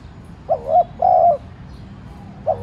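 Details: Spotted dove used as a decoy, cooing to provoke wild doves into calling: a soft two-part coo followed by a longer level hooting note, then another coo begins, over a quiet low background.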